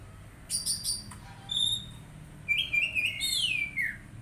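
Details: Untrained caged magpie-robin under daily care: a few scratchy buzzes and short whistles, then a rich warbling phrase that sweeps downward at the end.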